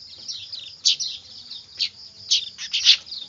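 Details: Noisy weaver chicks, known locally as manyar, used to lure birds: high thin chattering with a few louder harsh bursts standing out near the end.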